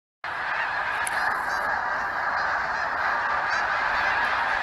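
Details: Huge flock of geese that stops by each year, honking in a dense, continuous chorus of overlapping nasal calls with no pause or break.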